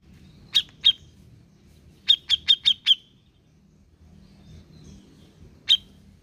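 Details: Grey-cheeked bulbul, a lure recording meant to coax a reluctant bird into singing: short sharp high chips, a pair, then a quick run of five, then one more, over a faint low rumble.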